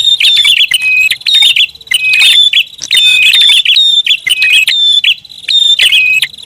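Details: Prinia lure call, loud and busy: rapid bursts of sharp high chirps and short whistled notes, some with a thin steady tone, in clusters about once a second with brief gaps.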